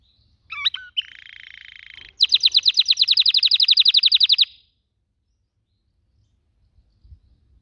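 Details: Sweet whistled notes, then a buzzing roll and a fast ringing trill of dozens of chirps from a canary, ending in silence.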